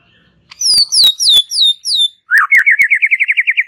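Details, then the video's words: White-rumped shama singing calmly: a series of clear falling whistles, then a fast trill of about a dozen quickly repeated wavy notes, with sharp clicks scattered through. "Ocehan SANTAI Murai Batu"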